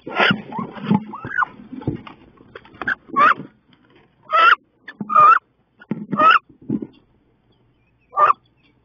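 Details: Female wood ducks, two of them, fight fiercely in a nest box on 16 May; squealing calls come in a cluster and then singly, amid rustling and knocking against the box.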